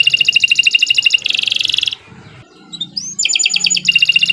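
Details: Canary kenari in full long song for tutoring: rapid high trills, a dense buzzy trill segment, a quiet pause with low noise, then rising whistles and renewed pulsed trills.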